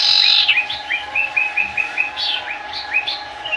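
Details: Sooty-headed bulbul singing: a run of short, clear, slurred whistled notes, several repeated at an even pace on the same pitch, then higher, rising phrases, with a steady faint background hum.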